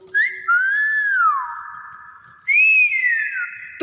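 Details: Nias hill myna whistling: two loud, pure, slurred notes, each rising slightly then sliding down and holding steady, separated by a short gap, recorded indoors.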